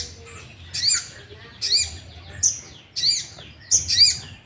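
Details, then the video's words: Sooty-headed bulbul song used to provoke other bulbuls into singing: five short bubbly, slurred phrases repeated roughly every three quarters of a second, over a steady low rumbling background noise. "Pancingan emosi burung sogok ontong❗sogon gacor ikut emosi"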